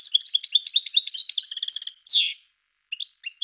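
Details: European goldfinch singing: quick tinkling high twitters and chirps in a lively run, then a buzzy descending note and a few sparse call notes.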